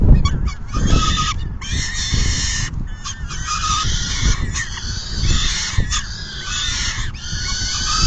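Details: Peregrine falcon nest feeding, June 10, 2022. Grating, nasal calls are delivered in clustered bursts with brief breaks, set against strong low-frequency buffeting.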